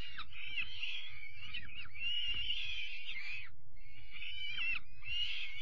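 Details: Young peregrine falcon chicks receiving their evening meal on 5 May 2021: harsh, rasping screeches run almost continuously in long drawn-out bursts with brief gaps, over a low rumbling background.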